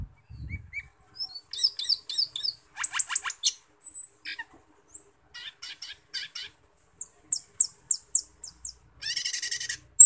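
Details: Cucak keling, also called camperling, singing energetically: a varied run of sharp high chirps, clicks and whistled notes in quick clusters, ending with a fast buzzy chatter.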